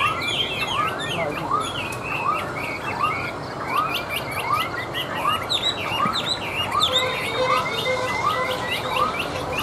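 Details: Tame caged Chinese hwamei singing after being set down on a table: a rich, varied stream of loud whistled, slurred phrases over a steady series of lower arched notes repeating about twice a second.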